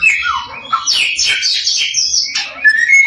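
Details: Samyong (Chinese hwamei) lure song meant to provoke rival samyong: low whistled slurs, then a dense high chatter, ending with a thin, pure, rising whistle.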